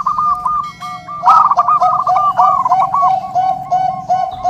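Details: Zebra dove song played for training and luring other zebra doves: a long run of soft, rapid, rolling cooing notes, with faint higher tones near the start.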